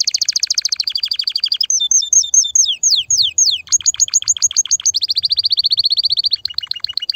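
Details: Excited canary song meant to ready females for mating: rapid trills shift into separate downslurred whistled notes, then back to buzzy rolls and a steady repeated trill ending in lower chirps.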